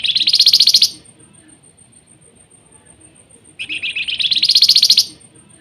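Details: Flamboyan repeating its nyiul trill: two buzzy pulsed bursts that rise in pitch, about three seconds apart, over a faint steady high tone.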